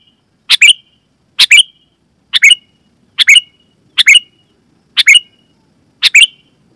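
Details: Loud sooty-headed bulbul calls for luring wild bulbuls and prompting caged ones to sing: seven evenly spaced sharp two-part chirps with a brief whistled tail, about one per second.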